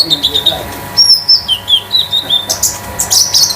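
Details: Home-kept konin (olive-backed sunbird) of the 'damer metalik' type used as a lure for other birds; a string of thin, wavering whistles followed by harsher, buzzy high squeaks.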